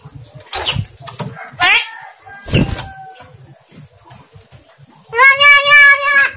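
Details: Javan myna talking unclearly: scattered raspy bursts and a short whistled tone, then a sustained nasal, voice-like phrase with strong overtones near the end.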